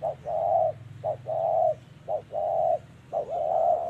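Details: Decoy trapping of spotted doves in Vietnam, 2023, with 'thổ'-voice cooing. Four repeated phrases, each a short lead-in note followed by a long even hollow coo, roughly one phrase per second. Faint low hum behind.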